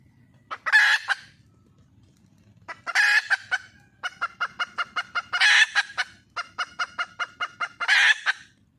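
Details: Wild junglefowl hen calling for a mate, alternating loud hoarse squawks with long trains of rapid, regular clucks, about four outbursts in nine seconds over quiet background.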